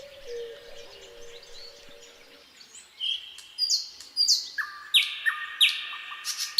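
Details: Nightingale singing on a quiet midsummer night: soft, low, drawn-out whistles give way to a loud, sharp phrase of rapidly repeated notes that sweep steeply and step downward in pitch, about seven bursts building in strength, over faint background noise.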